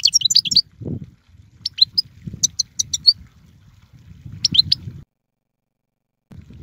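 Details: European goldfinch (Carduelis carduelis) giving short scattered bursts of high twittering notes separated by pauses, with soft low background noise.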